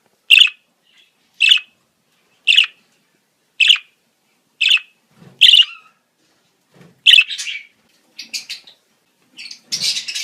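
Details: Mating-season budgerigar calls: sharp bright chirps spaced about a second apart, ending in a burst of scratchy overlapping chatter, used to stimulate breeding in budgies.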